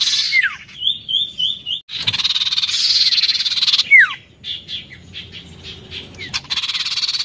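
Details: Oriental magpie-robin singing gacor narung style: steeply down-slurred whistles and a short rippling high trill, broken by long harsh buzzy rattles of rapid pulses.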